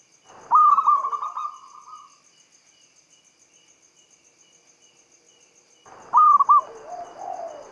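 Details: Lure song of a local Javanese zebra dove, meant to set other doves singing: a stuttering run of cooing notes, a long quiet gap with soft ticking, then a second cooing phrase with lower notes.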